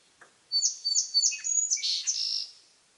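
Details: Song sparrow song in a quiet setting: a soft tick, then three or four evenly repeated bright notes leading into a rich buzzy trill and a rapid jumble of varied high notes lasting around two seconds.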